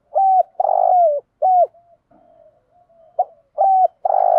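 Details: Spotted dove used as a decoy bird, cooing to call the flock in the morning: low hollow coos with one longer drawn-out note, short bursts repeating roughly twice a second, faint softer coos between.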